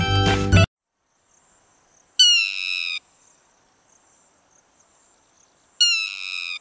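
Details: Yellow-wattled lapwing (Vanellus malabaricus) giving two sharp, ringing, slightly falling calls about three seconds apart, after a brief burst of music at the start.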